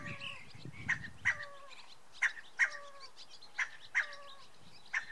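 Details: Scaled quail, a male, squawking on a house roof on May 24, 2013, running between the roof's corners: harsh, nasal two-note calls, paired and repeated about every one and a half seconds, with faint steady tones and low rumble behind.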